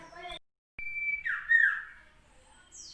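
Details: Common iora recorded on Monday 16 June 2020 in South Malang: a brief spoken voice, then a long, steady, high whistled note that drops into a short, rough, warbling flourish, with a faint high note near the end.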